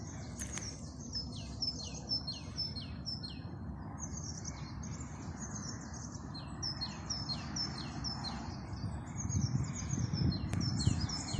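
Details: In Maamora forest at Salé al-Jadida, Morocco, small birds chirp in high, thin notes, repeated in quick overlapping series over a low rumble.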